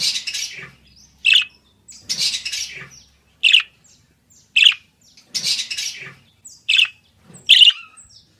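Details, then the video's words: Budgerigar song meant for taming: harsh buzzy chatter bursts alternating with single loud, clear chirps, the pair repeating about every one and a half seconds. "Canto Perfeito para Deixar seu Periquito Australiano Manso"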